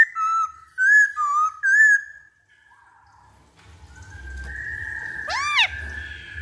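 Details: Black-throated laughingthrush song played as a lure: three loud whistled slurs, a pause, then a long steady whistle crossed by a sharp arched note.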